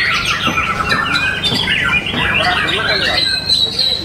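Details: Caged White-rumped Shama singing during a contest session in Solo, Indonesia, where the winning bird was noted for strong volume. Quick whistled phrases rise and fall, ending on a sustained high note, amid other birds' calls and a low hum.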